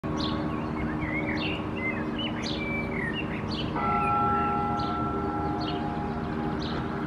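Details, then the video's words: Male Common Blackbird (Turdus merula) perched on a dead branch in Helsinki, Finland, in April 2024, singing short, fluty warbled phrases with thin high twitters, while a church bell rings steady tones over a low distant rumble. "Blackbird perching on a dead branch, singing"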